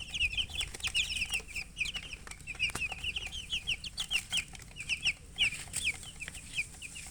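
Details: Several baby chickens, thirsty for drinking water, chirp steadily: rapid high peeps sliding downward, several each second, overlapping throughout, with faint clicks and knocks behind.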